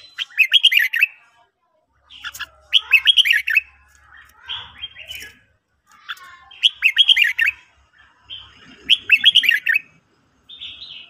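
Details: Morning song of a Red-whiskered bulbul in training, a run of lively warbled whistled phrases about every two seconds, interspersed with softer buzzy notes and faint low rumbling between bursts.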